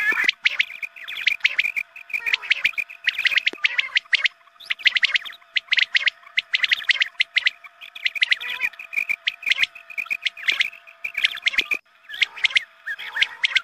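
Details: Quail calls used as a dawn lure to draw in more quail. Rapid clusters of sharp chirps repeat about every second over a constant low hum throughout.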